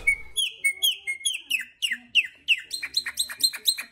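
Chopi Blackbird song: a lively string of loud, liquid, downslurred whistles, several per second, quickening into a rapid ringing chatter at the end.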